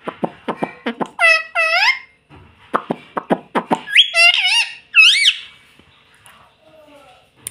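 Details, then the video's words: Talking pet ring-necked parakeet saying "mummy papa": quick runs of clipped syllables alternating with longer arched, speech-like notes and a couple of rising squeaks, indoors. "mummy papa bolne wala tota"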